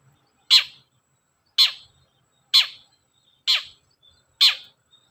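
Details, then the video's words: Long-tailed shrike, used as a lure to get other shrikes singing: five loud harsh rasping calls, one about every second, each falling off at the end. "SUARA BURUNG CENDET GACOR, PANCINGAN CENDET BAHAN AGAR CEPAT GACOR"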